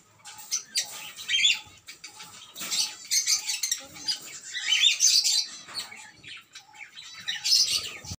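Lilian's lovebirds chatter with shrill, high squeaks and harsh bursts, several birds calling over one another in quick, uneven flurries.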